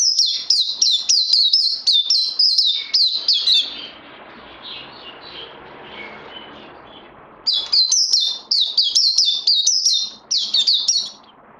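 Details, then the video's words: Caged white-eye, recorded 18 May 2020 while in training, singing two long, loud bursts of rapid high slurred whistles separated by about four seconds of soft distant twittering. "Puteh Naughty Hercules need more training after Covid 19"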